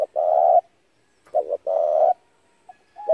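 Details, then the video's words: Decoy spotted dove call for trapping wild doves. Two low, resonant rolling coos, the second led by a pair of short clipped notes, are separated by about a second of silence, with the start of another phrase at the end. "tiếng chim cu gáy hay kích mồi rút bổi tốc độ cực chuẩn"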